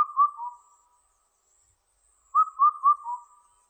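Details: Indian cuckoo giving its mellow whistled four-note song, three even notes then a dropping final one. The phrase is repeated after a quiet gap, against a clean, silent background.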